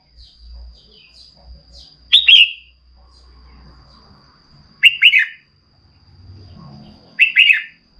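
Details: A female red-whiskered bulbul calls to stimulate a male, giving three short, bright, warbled phrases about half a second each, spaced two to three seconds apart, with faint high chirps and low rumble between.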